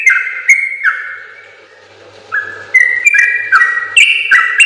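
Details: Yellow-vented bulbul song recorded for training other bulbuls: a few sustained whistled notes, a short quiet gap, then quick stepped whistles rising and dropping.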